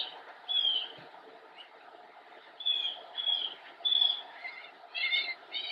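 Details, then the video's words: Immature northern mockingbird, Cabarrus County, North Carolina, 10-10-2016, perched in a bush: spaced, pure whistled notes with pauses between, ending in a few richer, layered chirps. "Northern Mockingbird - Singing from Bush"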